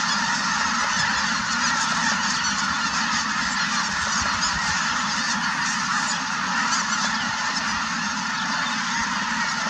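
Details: Snow Geese with cranes at Merced National Wildlife Refuge on 4 March 2018, very active and flying: a dense, unbroken wall of overlapping honks and nasal calls from a huge flock, steady throughout.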